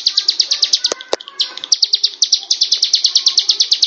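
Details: Bar-winged prinia giving rapid high chirps in quick succession, briefly broken near the start by two sharp clicks and a short pause, then resuming the same even, fast-paced series.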